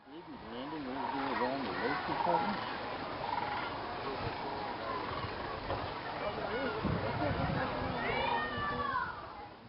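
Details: Thousands of sandhill cranes gathering in a viewing field at dusk before going to roost in a swamp at Jasper-Pulaski Fish and Game Preserve, Indiana. A dense chorus of rolling, harmonic calls overlaps, with human voices.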